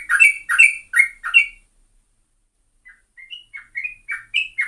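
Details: Trucuk, a yellow-vented bulbul, sings quick gurgling notes in two groups: a loud cluster of four rich phrases, a pause, then softer short whistled notes building again.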